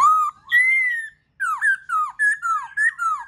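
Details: Black-throated laughingthrush song for stimulating other birds to sing: clear whistled phrases, a low note and a long rising one, then after a short gap a quick alternating sequence of rising and falling whistles.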